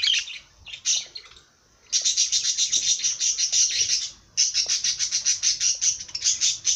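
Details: Parrot giving a loud, buzzy, rapidly pulsed chatter that runs for a couple of seconds, breaks off briefly, then resumes at a steady rhythm. Shorter high squeaks come first.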